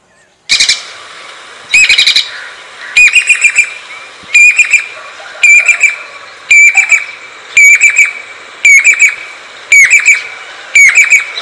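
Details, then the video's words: Jacobin (pied) cuckoo calling: loud, ringing metallic notes in quick clusters of two to four, repeated about every second, with a faint background hiss. "चातक पक्षी की आवाज/Jacobin Pied Cuckoo Sounds/Crested pied Cuckoo Calls"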